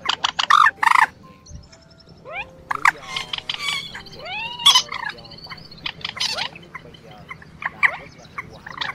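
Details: Quốc biển and trích ré, two birds used as a night-netting lure in the March 2024 migration season. Loud harsh bursts mix with rising and falling harmonic wails and quick sliding whistles, then clipped notes repeated irregularly.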